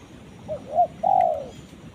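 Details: Low, mellow cooing of a spotted dove calling to a companion: a faint first note, a rounded second coo, then a sustained descending coo, against light background hiss.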